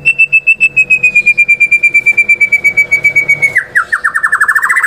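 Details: White-rumped shama song played as a lure to stir silent shamas: a long, fast series of identical piping notes, steady and slightly falling, then quickening into rising, stuttering whistles near the end.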